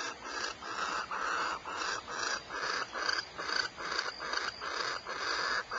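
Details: Quieter, slightly distant barn owl rasps at Starr Ranch, California, repeat in a rapid, rough rhythm over a soft hiss of background noise.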